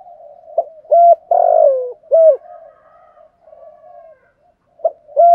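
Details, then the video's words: Spotted dove bow-cooing and calling in a set pattern to lure wild doves; short clipped coos around a long rough burred note, then soft low murmurs and another clipped coo. "tiếng chim cu gáy bài bản [ Thúc Gù + Gáy gọi ] bổi nghe gáy theo liền/ cu cườm thúc gù"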